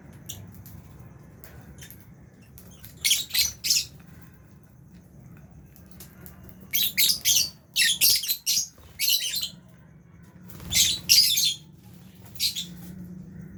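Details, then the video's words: Rapid runs of piercing, buzzy chirps come in several bursts with quiet gaps, from albino and Fisher's lovebirds eating in an aviary shared with budgies, over a low background hum. "Lovebirds Chirping Sounds"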